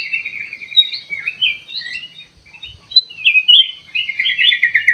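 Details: Ruby-throated bulbul song played as a lure to get a reply: clear whistled and slurred notes in short phrases, a lull, then a rapid, rolling string of repeated chirps at the end.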